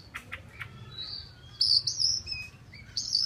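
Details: Chinese hwamei song: a few faint chips, then loud, high, drawn-out whistles arriving in strong bursts in the second half.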